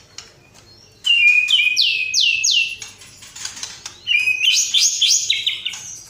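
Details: White-rumped shama singing energetically, a series of loud downward-sliding whistles repeated about every half second, then high quick whistled runs in a second burst.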